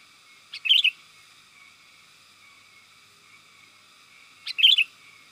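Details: Sooty-headed bulbul lure call used to attract wild birds: two short bright phrases, a sharp note then a quick warbled flourish, separated by about four seconds of quiet.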